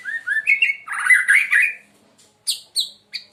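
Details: White-rumped shama called murai Medan, a loud, melodious singer, giving rolling whistled and slurred notes in a rich burst, then several short sharp high chips after a pause.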